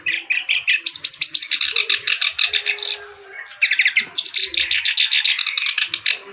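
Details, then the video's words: Clamorous reed warbler in full vigorous song with varied phrasing: fast, dense runs of harsh, chattering notes pulsing several times a second, one short pause near the middle, and a faint low coo underneath. "BURUNG KERAK BASI GACOR CENGKOK LAGUNYA OK"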